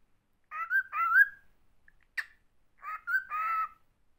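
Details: A male pet cockatiel, being taught to speak and in a somewhat excited mood on a cold morning in Moscow, makes two bursts of chattering, speech-like phrases with warbling, slightly whistled tones, separated by a single sharp click.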